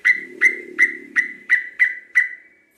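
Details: Local sooty-headed bulbul giving seven sharp whistled notes, each a quick attack trailing off level, repeated about every third of a second over a soft low murmur.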